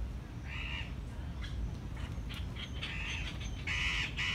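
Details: Andean cock-of-the-rock in captivity at the San Diego Zoo, its call likened to a strange puppet voice: a series of four short, raspy, nasal squawks at irregular intervals over low background rumble.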